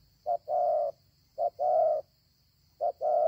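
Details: ['Spotted dove with a good voice, in a season when doves are plentiful: three cooing phrases about a second apart, each a short low coo followed by a longer, steady hollow coo, with a faint steady hum behind.']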